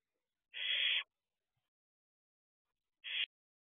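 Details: Barn owlet looking out from an owl box at 4:31 am on 6/2/23: one long, noisy hissing screech of about half a second, then after two seconds a shorter, clipped one.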